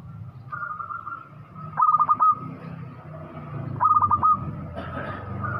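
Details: Local Indonesian zebra dove, noted for a big voice and eager singing, delivers two bursts of quick, bubbling coo notes about two seconds apart, each roughly half a second long, over a low background hum.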